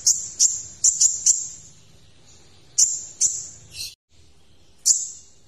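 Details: Van Hasselt's sunbird singing for a tutor recording: quick clusters of very high piercing chips, a pause, then isolated sharp notes and a short buzzy burst.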